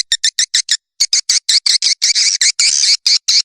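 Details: Swiftlet calling and roosting sound used by Indonesian swiftlet farmers: quick high chirps in rapid succession that lengthen into harsher, buzzy notes toward the end.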